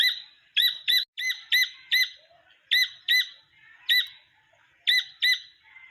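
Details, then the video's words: Jungle partridge chick giving a run of ringing, nasal double notes, repeated steadily with short gaps, clear against a quiet background. "جنگلی تیتر کے بچے کی اواز"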